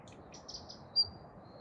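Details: At Kasai Rinkai Park, Tokyo, a Daurian redstart gives a single thin, high whistled note after a few faint soft chirps, over a steady low background hum.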